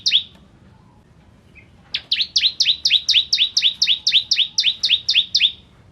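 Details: Bar-winged prinia, crystal variety, singing hard as a training recording for shamas: one opening chirp, a quiet gap, then a long even train of sharp downward-sweeping notes repeated about four per second.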